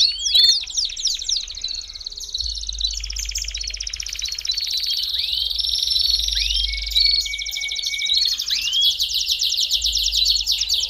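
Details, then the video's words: Belgian canary song used to warm up canaries: long varied rolling trills, drawn-out buzzy passages and rising swept whistles, with a constant low hum underneath. "CANTO PARA ESQUENTAR CANÁRIO BELGA RÁPIDO!!!"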